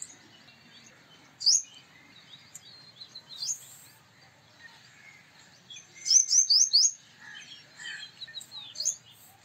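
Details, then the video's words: Purple sunbird male utters scattered high, thin chips, then a quick run of four or five sharp descending notes, with quiet spells between and faint background birds. "Purple Sunbird Sound / Purple Sunbird Song / Purple Sunbird Call /Male Purple Sunbird Vocals, Voice"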